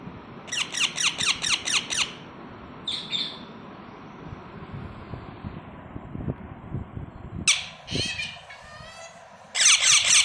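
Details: Several baby parrots produce a fast string of raspy chirps, then a lone short call, a quiet stretch with low rumbling, and finally a loud, dense, overlapping chorus of harsh notes.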